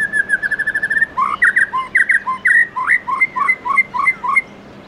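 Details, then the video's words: Forest-voice song of a White-rumped shama in the morning: a rapid trill of about ten even notes, then a lively stream of swooping, slurred fluty whistles jumping between low and high. "Chích chòe lửa Hót Giọng Rừng cực hay buổi sáng"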